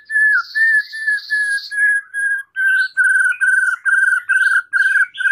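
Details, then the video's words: Repeated clear whistled notes from a White-rumped shama, used to train other birds: even, mid-pitched whistles at about two per second, with a higher buzzy note layered over the first few. "Masteran murai batu full isian suara jernih || Pancingan kicau murai batu agar gacor"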